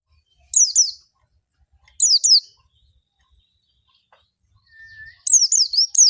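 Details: Oriental white-eye in a lure recording meant to prompt white-eyes to sing quickly in the wild 'ngalas gacor' style: three short bursts of high, thin, down-slurred twittering notes, separated by about a second of silence.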